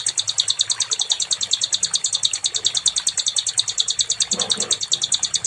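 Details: Nightingale (sikatan londo) training song for songbirds: a long, unbroken, rapid sequence of high, paired ticking notes, very regular, with a faint lower chirp near the end.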